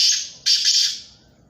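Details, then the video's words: Black francolin call fragment: two harsh, rasping grating bursts in quick succession, the second longer and fading away, on a quiet background. "3 Black Teetar Speaking in Action: Amazing Bird Calls"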